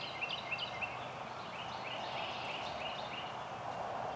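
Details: Indigo bunting, a male beside a woodland track at Cape May meadows in New Jersey, USA: clear high chirps open the song, then softer repeated notes trail on beneath constant rushing background noise.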